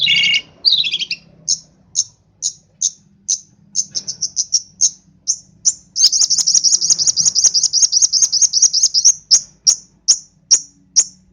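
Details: Long-tailed shrike from East Java in lively, mimicry-rich song. A harsh opening burst, then sharp high chips repeated about twice a second that speed into a fast continuous trill before slowing again.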